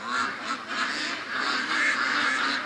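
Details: Penned domestic ducks calling loudly early in the morning, wanting to be let out and crowding one end of the pen; a dense, continuous chorus of overlapping nasal quacks with no pauses across the whole stretch.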